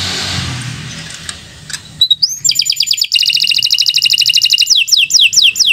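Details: Canary song, a long training song for young birds, starting after two seconds of soft background hiss with a rising whistle, then rapid rattling trills and repeated downward-slurred notes.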